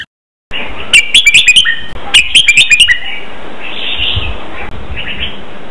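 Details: Red-whiskered bulbul song for training caged birds to copy, in doubled 23-note style: after a brief silence, two rapid bubbly phrases of sharp whistled notes, then a steady hiss with a soft distant chirp.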